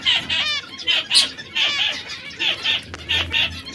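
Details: Caged canaries in three colours, red, yellow and brown, producing short repeated song phrases of bright notes and rolling trills, with a faint low hum beneath.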